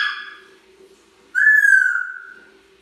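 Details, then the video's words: African grey parrot at bedtime, kept as a pet indoors: a loud, clear whistle with rich harmonics gliding gently downward for about a second, after a shorter fading whistled note at the start; steady low hum in the background. "African Gray Parrot Bedtime Sounds"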